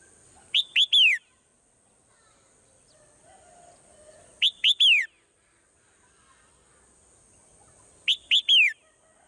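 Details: Swallow calling in the morning: clusters of three loud, sharp downslurred chirps repeated roughly every four seconds, with a steady thin high whine in the background.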